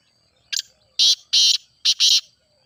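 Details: Teetar calling, the grey francolin, as playback for a silent bird: a soft lead note followed by four loud, harsh, high-pitched bursts in a quick rhythmic phrase.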